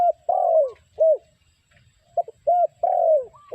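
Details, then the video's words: Spotted dove calling as a decoy for trapping wild doves. Low, soft coos alternate short hoots with longer descending drawn notes in quick succession, with a brief gap midway. Faint low rustling in the background. "The Sound Of Spotted Dove Bird"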